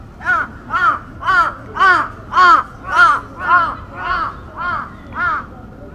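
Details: Crow at Aoba-no-Mori Park, 28 May 2017, calling what is termed an earthquake warning: ten loud, harsh, rising-and-falling caws delivered evenly about every half second, close and dominant over quiet surroundings.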